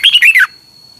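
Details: A brief burst of Red-whiskered bulbul song from Thailand, meant to train caged birds: a hurried string of bright, gurgling whistled notes that slide downward, followed by a thin steady tone.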